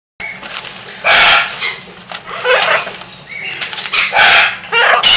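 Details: A military macaw at a parrot shelter and rescue in Creston, Illinois, gives three loud, harsh, raspy squawks at uneven intervals, with quieter rustling and scratchy sounds between them.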